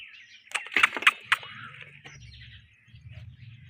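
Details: A pair of ringneck parrots chirping: a burst of four harsh, scratchy chirps in quick succession, then softer chatter, over a low rumbling hum and faint rustling.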